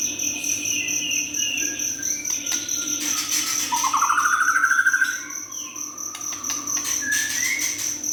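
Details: Juvenile white-rumped shama in full song: varied whistles and a rising, rapidly pulsed trill, set against a steady high insect-like buzzing drone throughout.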